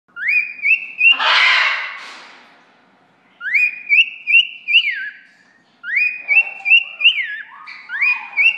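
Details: Male cockatiel living in an aviary sings to a person standing in the corner: bright rising whistled notes climbing in steps, repeated in three quick bursts.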